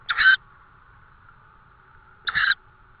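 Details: Tawny owl at a nest in Estonia, 18 May 2013 after 20:56, with prey delivered at 21:54; two brief harsh, rasping bursts about two seconds apart over a quiet steady background tone.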